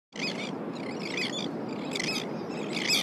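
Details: Elegant terns on the California Central Coast in July, adults flying in from the sea with fish to feed young, give harsh, grating, high-pitched calls in four ragged bursts about a second apart over steady surf or colony roar.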